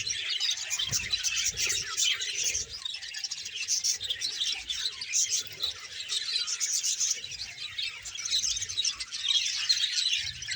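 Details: A colony of more than 300 budgerigars in Bahawalpur: a dense, unbroken wash of high chirps, warbles and squeaks from many birds at once, with occasional low thumps beneath.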